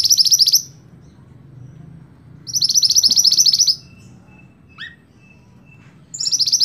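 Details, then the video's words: Scarlet-backed flowerpecker, kept as a cage bird for training other songbirds, sings high, thin rapid trills around one second long, repeated twice, with a short downward call note in between. "Burung Mantenan Gacor Sicabe Merah Mantab Buat Masteran"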